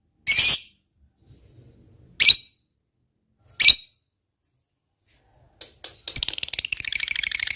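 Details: A lovebird of the fighter type, in a recording meant to prompt silent lovebirds to sing. Three loud, harsh screeches with pauses between them, then a few short notes leading into a fast, high chattering trill.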